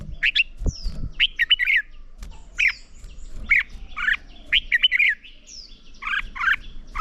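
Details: Red-whiskered bulbul singing a morning training song in the competitive 'hót đấu' style to fire up a wild-caught bird: short bright warbled phrases, repeated every second or so, with faint low rumbling between them.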